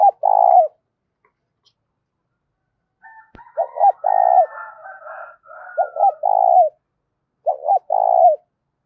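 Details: Spotted dove cooing to rouse decoy doves: phrases of brief hoots and a vibrating drawn-out note repeat several times, overlapped in the middle by a higher, longer harmonic call from another bird and a sharp click.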